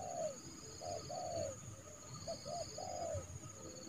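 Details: Spotted dove, a trained decoy bird calling a rival into a yard to trap it without harm in January, gives low cooing phrases of several rounded notes with a falling last note, repeated twice; steady high insect-like tones and faint background hum.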